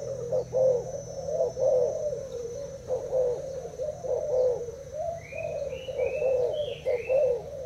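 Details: Thai-type spotted doves, caged, in a cooing duel with an uncovered decoy bird after two days in the cage; steady low hollow coos repeated and overlapping almost continuously, with a few brief higher chirps from another bird near the end.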